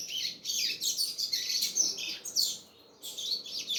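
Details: Fast, continuous chattering song of a double-collared seedeater, bright high notes tumbling together, then a short pause before a final burst of twitters.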